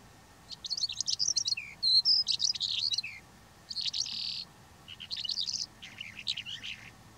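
A Calandra lark sings a rapid, jumbled stream of high chirps, trills and scratchy notes in bursts, with brief pauses between phrases.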